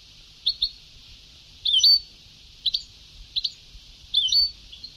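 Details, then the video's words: Old recording of a goldfinch singing Sebtaoui style: five separate short twittered phrases, alternating quick double chips with longer slurred sweeps, over constant high hiss. "Canto del jilguero antiguo شريط تغريد سبتاوي قدييييييم"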